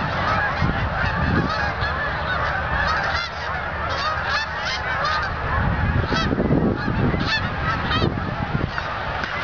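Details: Canada geese flying over the Experimental Farm in Ottawa, Canada, on November 8, 2008: a continuous chorus of many overlapping honks from a flock, with heavy low rumbling noise throughout.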